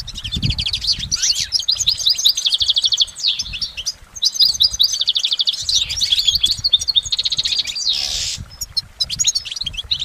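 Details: Long continuous goldfinch song in nature: busy, liquid twittering with rolling trills, sweeping notes and a brief buzzy burst, running almost without a break; little background noise.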